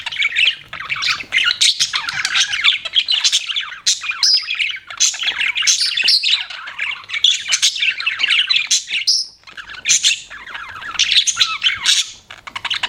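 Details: Several budgerigars keep up a long, busy chatter of squeaky chirps, rasping notes and warbles, with a couple of short pauses before the noisy babble starts again.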